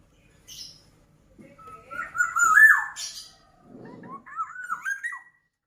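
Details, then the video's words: Black-naped oriole delivering a slurred, fluty whistle that swells and then drops, followed after a brief pause by a second phrase of bubbling, rising whistled notes, with soft scratchy sounds between. "Kicauan Burung Kepodang Mas Gacor"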